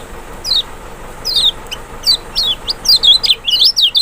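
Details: Lemon-bellied white-eye (Kecial, Zosterops chloris maxi) lure song to draw a reply: a few spaced falling whistles that speed into a rapid, rising-and-falling twittering run of high sweet notes.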